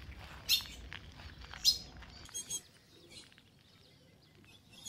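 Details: Female blue-black grosbeak in the northeastern Brazilian caatinga on a winter morning, calling to excite the male: a few abrupt, metallic chip notes, two close together then a softer pair, with faint distant chirps behind.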